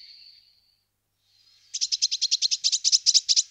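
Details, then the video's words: Eurasian blue tit, a thin sustained high note, then after a pause a long rapid series of about fifteen buzzy chattering notes. "Parus caeruleus"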